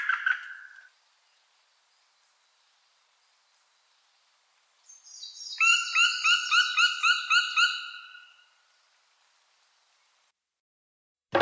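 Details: Black woodpecker: a short harsh note opens, then after a silent pause a loud, ringing run of about nine rapid, evenly spaced whistled 'kwee' notes over two seconds, fading slightly at the end. The background is quiet, with a click at the close.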